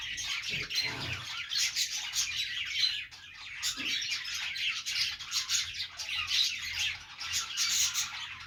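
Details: Cute budgies in their morning routine give happy sounds: continuous high twittering and chirps from several birds, with faint low knocks early on.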